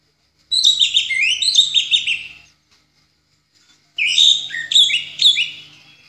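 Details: Singing orange-headed thrush, ngeplong style, meant as a master for other songbirds: two long phrases of loud, jumbled whistles and fast warbling, separated by a roughly one-and-a-half-second pause.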